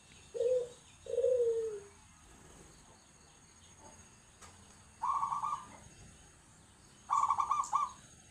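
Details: Zebra dove song in the agem style: two lower, falling coo notes open the phrase, then after a pause come two louder, higher, rapidly trilled coos about two seconds apart over quiet background noise.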